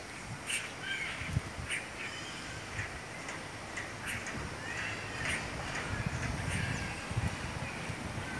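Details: Red-rumped caciques at their nests hanging in the trees of a town square; a series of harsh, clicking, chattering bursts repeats irregularly, several per second at times, over a low rumbling background.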